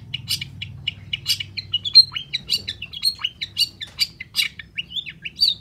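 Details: Lure recording of a long-tailed shrike in nonstop song: rapid, varied high chirps and twittering notes, some rising and some falling, tumbling out several per second with little pause.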